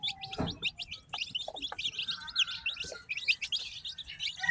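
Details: Farm chicks, newly hatched, chirping busily: dense overlapping high peeps, each a short downward slur, with a few soft low thumps underneath.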